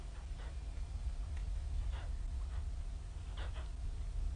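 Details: White stork chicks at Ustroń, May 2019, hungry and calling while the mother stays away in foul weather; a few soft squeaky notes, then a louder double squeak near the end, over heavy low rumbling noise.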